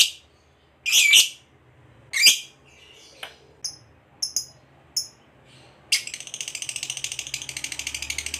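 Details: Fighter lovebird used to provoke a rival: a few scattered sharp, high chirps and clicks, then a long, rapid, rattling 'ngekek' trill of evenly spaced high notes begins and carries on to the end.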